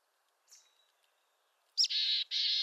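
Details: Western North American mountain chickadee: a faint high note, then after a gap a sharp chip followed by two long, loud, raspy buzzing dee notes.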